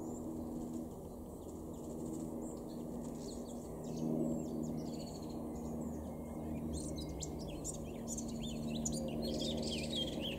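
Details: Male Eurasian blackcap singing in a garden in Weener, East Frisia, Germany, April 2022: quick high warbled phrases with rapid rising and falling notes, over steady low background rumble.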